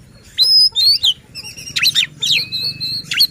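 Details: Kacer song intended to provoke rival shamas; loud pure whistles, a long level whistled note, sharp down-slurs and brief rattling notes come in several quick phrases over a faint low background hum.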